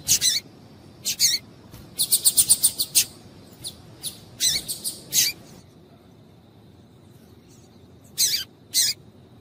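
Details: Calls of a female double-collared seedeater to stimulate males to sing. Loud high chirps, a fast run of about six ticking notes, more paired chirps, a quiet gap, then two final chirps.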